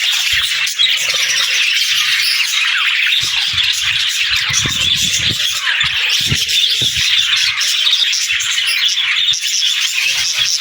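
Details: Budgerigars talking and singing in a continuous busy warble of chirps, clicks and squeaky notes, with scattered low knocks and rumbles underneath.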